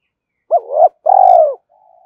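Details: Spotted dove giving a cooing phrase to prompt a decoy dove to respond: a short swelling double coo, then a long vibrating coo that fades downward, with a faint soft tail note after.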